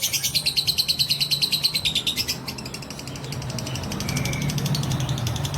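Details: Fighter lovebird giving a long-duration trill (ngekek panjang) used as a lure to provoke other lovebirds: a rapid, high rattling series of pulses about ten per second, loud for two seconds, then continuing softer and quicker over a low background hum.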